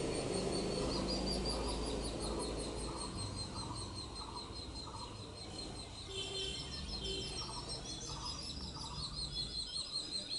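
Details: Indian grey hornbill parent feeding young: evenly spaced, clucking mid-pitched notes repeated roughly twice a second, over dense high chirping and a low rumble early on.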